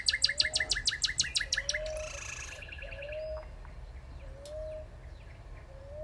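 Northern cardinal giving a fast run of about nine sharp, repeated down-slurred notes, then a brief trill, while another bird's low whistles sound at intervals.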